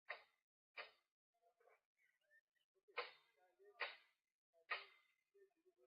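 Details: At a southern African waterhole on 5 August 2023, a crimson-breasted shrike, almost certainly, gives a background clicking call: sharp, dry clicks in uneven pairs, about one a second, with soft higher notes faintly between them.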